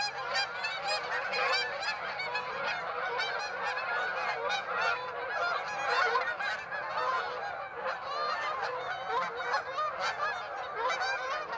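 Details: Flock of Canada geese at Birds Hill on 26 September, honking continuously: many overlapping nasal, bugling honks from numerous birds at once, forming a dense, unbroken chorus with no pause throughout.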